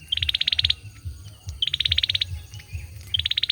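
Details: Male olive-backed sunbird singing: three fast, high, buzzy trills, each opened by a short clear note and holding about a dozen rapid pulses, spaced roughly 1.5 seconds apart over a steady low rumble.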